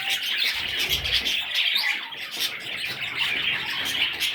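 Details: Budgerigar chicks chirp and rasp in a continuous high chorus, and a short low rumble sounds around the first second.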